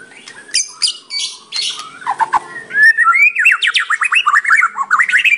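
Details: White-rumped shama singing vigorously with a full, varied repertoire, used as a lure for other shamas: several scratchy, buzzy phrases, then a rapid sequence of sweeping rising notes that climb steadily higher.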